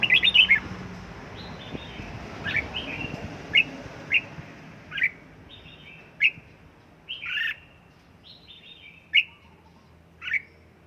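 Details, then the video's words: Sharp, clipped whistles and short slurred chirps from a red-whiskered bulbul in home training toward căng lửa, spaced irregularly about one a second, over steady background noise. "Cách luyện chào mào căng lửa | Dợt chào mào tại nhà, QUÁ HAY nhanh căng lửa chào mào"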